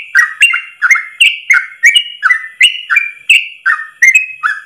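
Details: A yellow-vented bulbul sings a long, fast, unbroken run of bubbly, slurred whistled phrases in a single breath, about two or three each second, with no other sounds; a master song for training trucuk.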